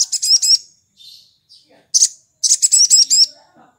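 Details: Sooty-headed bulbul singing in the morning in the ngalas style, used as a lure to get other bulbuls singing: high, rapid chattering bursts of sharp buzzy notes, two short phrases with a faint quieter note between.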